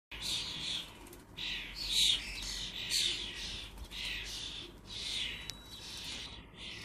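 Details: Common starling fledglings in Lancashire, excitable and clumsy, staying close to their parents; harsh, rasping calls repeat in quick succession, some loud and others softer, with hardly a pause between them.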